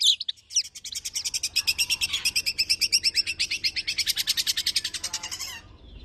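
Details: Tame long-tailed shrike in rapid 'nembak' firing song: a long, fast rattling string of sharp, high chirps, about two per second, running steadily for five seconds before stopping abruptly, with faint background hum.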